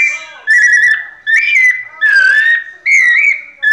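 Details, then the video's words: Pianado-style song of a white-necked thrush, made of fluid whistled phrases repeated roughly every 0.8 seconds, each gently rising or dipping and ending in a brief flourish. "Sabiá coleira "Sol" nunca vi pianado tão perfeito!"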